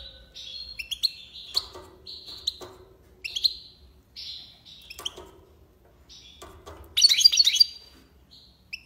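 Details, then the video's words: European goldfinch, tiwawati song style: fairly soft, scattered whistled and slurred notes with clicks, building to a loud rapid tinkling burst near the end. "مقنين(حسون) تيواواطي ليباساد روعة"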